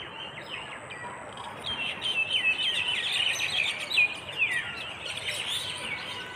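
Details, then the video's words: Chirping flock greeting a misty, dew-soaked morning on a rural path in Bangladesh; quieter start, then a dense burst of high sliding twitters and quick repeated chirps from many birds. "পাখির ঝাঁক বেঁধে কিচিরমিচির শব্দে ঘুম ভেঙ্গে সকাল"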